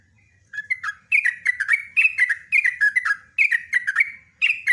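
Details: A sooty-headed bulbul sings a long rolling ropelan phrase: a thin rising lead-in, then bright, bouncy clusters of whistled notes repeated in quick groups, over a faint low hum.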